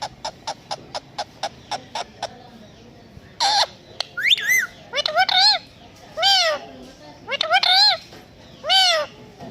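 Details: Pet Indian ringneck parakeet talking and imitating a cat's voice: a run of sharp regular clicks, then repeated arched, harmonic meow-like calls rising and falling, several in quick succession.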